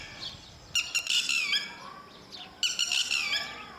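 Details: Two bursts of sharp, high-pitched calls from a lapwing, a species whose parents stay with and protect their chicks. The calls are fast stuttered notes with downward slides, separated by near silence.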